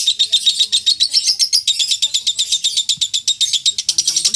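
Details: Lovebird chattering in the long ngekek style prized in singing contests, recorded as training material: a steady stream of harsh, high, rapid notes, about four a second, unbroken for over four seconds.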